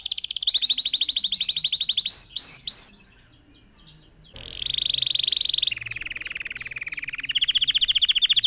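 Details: Red factor canary singing, meant as a lesson for other canaries learning to sing; fast buzzy trills around mid-high pitch, a brief pause, then rapid rolling trills shifting between steady and slightly lower tones.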